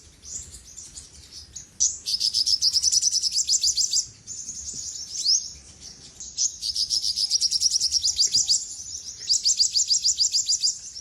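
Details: Olive-backed sunbird, or sogok ontong, in song. After a quiet start, long, dense trills of shrill, rapidly repeated notes run for several seconds, broken by short pauses and a few scratchy high chirps.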